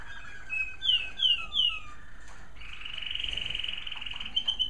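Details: American Singer canaries singing in the evening in a breeder's bird room, caged: three bright descending whistled notes, a lower slurred phrase, then a sustained fast trill near the end, with faint low room hum beneath.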